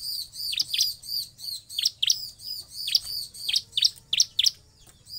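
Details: Ciblek singing, played as a lure to prompt other ciblek to sing, a fast run of high thin chirps and steep falling strokes repeated several times a second.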